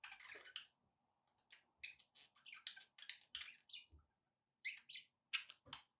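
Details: Quieter pet budgerigar calls: a run of sharp separate chirps, some pitched up, over a faint steady hum in the background.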